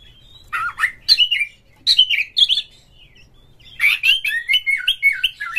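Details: White-rumped shama prompting song with a rough repertoire: varied whistled phrases separated by short silences, ending in a rapid sequence of rising and falling whistles.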